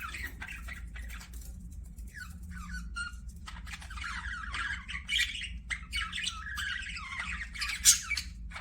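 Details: Budgerigars chattering in a dense, continuous stream of scratchy chirps, squawks and warbled notes, with brief rising and falling whistles, over a steady low hum throughout.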